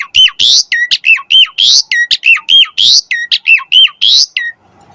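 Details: Asian pied starling repeating a rhythmic phrase about twice a second, used as a lure and master: harsh rasping bursts alternating with hooked, dropping whistles, with a steady beat.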